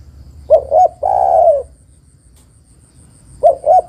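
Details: Spotted dove female calling the male: two quick throaty notes lead into a long, mellow falling coo. A second pair of short notes begins near the end. Nothing else is heard against the quiet background.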